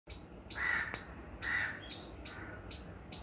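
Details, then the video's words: Crow giving two harsh, hoarse caws about a second apart, with a steady series of short, high, sharp chips repeating roughly every half second throughout. "squirrel and crow sound"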